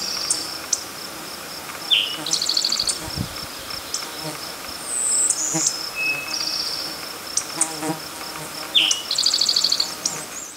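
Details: An adult male Golden-winged Warbler in New Jersey, singing to establish its territory, gives high, buzzy trills about seven seconds apart over a steady insect drone and short chirps from other birds.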